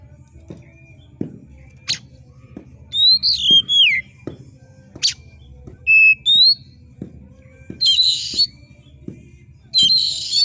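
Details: Oriental magpie-robin in sharp screeching competition song used to provoke rival kacer: scattered whistled slurs and thin notes, then loud harsh rasping screeches, over steady faint ticking.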